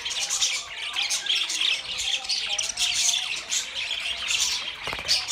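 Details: Pet budgerigars chatter loudly, with rasping squawks and high chirps pouring out almost without pause, and a short clicking burst near the end.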